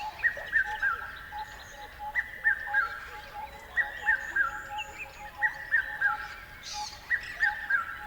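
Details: Birds chirp in steady triplets of quick falling whistled notes, each group about one and a half seconds apart, above a constant droning tone.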